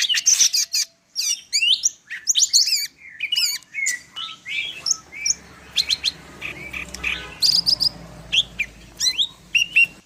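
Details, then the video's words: Medan-type greater green leafbird singing a dense, fast full-isian song: tumbling chirps, twitters and slurred whistles in rapid runs, over a faint low hum in the second half. "cucak ijo medan_gacor full isian"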